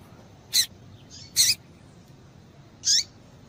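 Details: Three sharp, high seedeater notes, irregularly spaced, from a female double-collared seedeater calling to stimulate males; a faint soft note sits between the first two.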